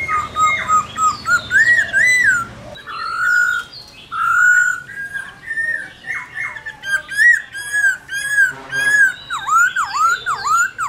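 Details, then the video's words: Long, varied forest-voice song of a white-cheeked laughingthrush: loud fluty phrases of rising and falling whistles, rapid warbles and down-slurred notes, delivered in bursts with brief gaps between them. "Khướu Hót giọng rừng NHIỀU GIỌNG HAY"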